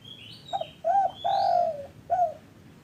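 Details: Spotted dove call used as a lure to get caged doves that are silent or reluctant to sing to start calling: low hollow coos, a short note, a longer drawn note, then a short final coo, with a faint high whistle before it.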